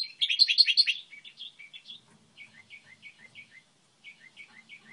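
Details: Model song of a goldfinch hybrid: an opening burst of loud rapid twitters, then a series of soft evenly repeated two-note chirps.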